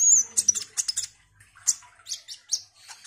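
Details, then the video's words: Sunbird known locally as kolibri ninja, a caged bird singing actively: bright, very high chirps and short sharp notes in quick uneven bursts, some thin whistled slides. "Kolibri Ninja GACOR ini DIJAMIN bikin KONIN lain ikut EMOSI Rajin Bunyi"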